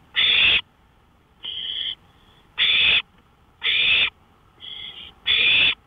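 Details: Owl heard from a porch at night, 1:53 AM, May 5, 2013: six grating, hissing bursts in fairly quick succession, loud ones alternating with softer, shorter ones.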